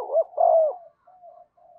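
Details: Spotted dove used as a decoy to call wild doves back: one strong, deep, rounded coo followed by two faint, trailing, drawn-out notes.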